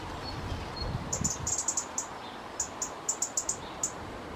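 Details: High, sharp ticks pour from a resident robin upset by two other robins close by, coming in uneven runs and single notes, with faint thin high whistles early on and low background rumble at the start.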